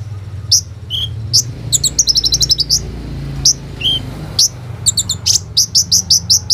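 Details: Hummingbird song, kept bird played as a lure to stir other birds into singing, recorded on a phone: high thin chirps and short trilled bursts, with steady low hum and rumble underneath.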